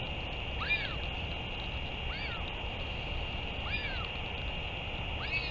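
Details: Northern royal albatross recorded 31 May 2023 during a return and feeding visit: repeated arching, whining calls that rise then fall, about every one and a half seconds, over a steady broadband hiss.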